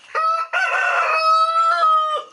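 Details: An aggressive sanctuary rooster kept with six hens crows loudly near dinnertime: a short opening note, then a long, strained, ringing phrase that falls away.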